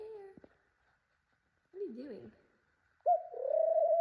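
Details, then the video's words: A female pet ringneck (Barbary) dove inspecting a possible nest spot indoors gives soft, low, hollow coos in three short phrases, the last longer and steadier, with a person talking quietly nearby. "my pet ringneck dove cooing!"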